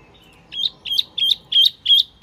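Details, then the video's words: Lure call of the Wambi Mini bird: a faint thin whistle, then five loud, bright chirps in steady succession, each with a sharp rising edge. "Suara Pikat Burung Wambi Mini"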